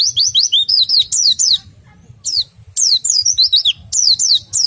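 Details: Oriental white-eye giving a bright, rapid warbling ngriwik song of high slurred whistled notes in two bursts separated by a short pause, meant to stimulate other white-eyes to sing.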